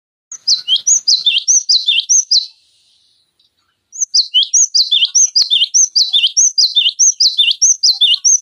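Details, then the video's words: Cinereous tit song used as a tutor recording to train other songbirds such as magpie robins and leafbirds: rapid, sharp, repeated two-note whistled phrases, each dropping in pitch, in a long run, then a short pause and another fast run. "Masteran Pancingan Gelatik Batu Gacor"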